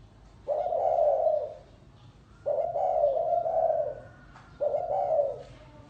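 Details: Three sustained, husky coo phrases from a spotted dove in the gáy gù style, spaced about two seconds apart, with a faint thin whistle in the background.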